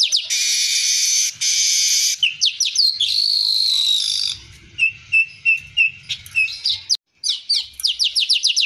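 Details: Streaked weaver in full, vigorous song packed with fill phrases, used as a training recording: long harsh buzzy bursts, then quick down-slurred chirps, steady thin whistles and a fast chattering run of high notes, with faint low rumbling underneath.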